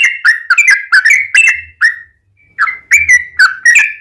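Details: Yellow-vented bulbul lure song meant to make other birds respond: rapid bubbly chirps, each a short slurred warble, with a pause of under a second before the chattering series picks up again.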